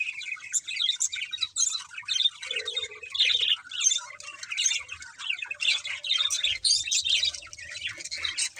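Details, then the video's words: Budgies chatter with rapid scratchy chirps and harsher squawks in steady pulsing phrases, a brief lower hum near two and a half seconds. "Beautiful Budgies Chirping Sounds"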